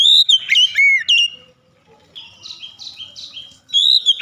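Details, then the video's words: Oriental magpie-robin in open-throated gacor ngeplong song, beak wide: loud looping whistles to start, then a softer passage of repeated buzzy, rising notes, and a loud whistled phrase again at the close. "Kacer langsung gacor ngeplong buka paruh dengan lebar"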